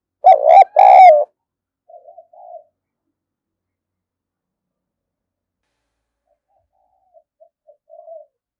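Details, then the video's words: Spotted dove kept as a vigorous decoy bird to provoke wild doves. Two loud, throaty coos come first, then a softer short coo and a long quiet gap, with faint cooing at the end. "Chim Cu Gáy Mồi Cực Sung Dùng Kích Bổi Mới"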